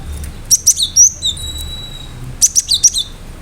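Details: Cinereous tit singing a lively song with sharp notes: high, clipped whistles and a long, thin, level tone lasting about a second, then a quick run of four piercing notes dropping in pitch.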